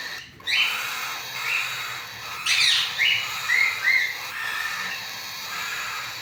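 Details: Cockatiel (Nymphicus hollandicus) chicks give begging calls: harsh, raspy squawks in uneven bursts, with a few thin rising notes.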